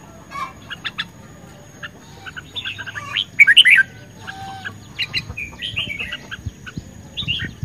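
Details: Red-whiskered bulbul singing in a competitive duel, May 2020: scattered chirps build to a loud, bright warbled phrase around three and a half seconds, then further short lilting notes.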